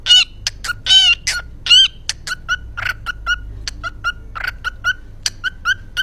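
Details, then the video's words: Yellow pet lovebird in Indonesia singing what its keeper calls a "kuki kuki" song. A few harsh, ringing squawks open, followed by a series of short sharp chirps repeated roughly once a second, with people laughing nearby. "Burung bernyanyi KUKI KUKI..."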